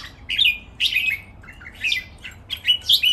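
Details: Three red-whiskered bulbuls held in cages sing competitively, giving short throaty, slightly harsh whistled phrases roughly every half second, each dropping at the end, over a steady low hum.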